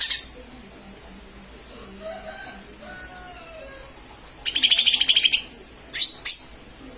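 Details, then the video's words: Lesser green leafbird call used as a lure: a brief high chirp at the start, a pulsed rattling trill lasting about a second, then two sharp high whistled chirps; faint lower sounds in the background. "Pancingan suara cucak ijo mini/ijo mini memanggil"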